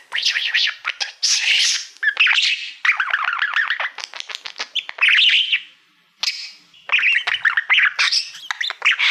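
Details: Male pet budgerigar singing to a shiny silver plaque treated as a mirror; long bouts of rapid chirping, clicks and buzzy warbled phrases, briefly pausing before resuming the chatter.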